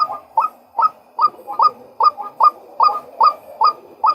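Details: Male White-breasted Waterhen: loud, repeated, upslurred notes about every third of a second, some doubled, over a faint background hiss.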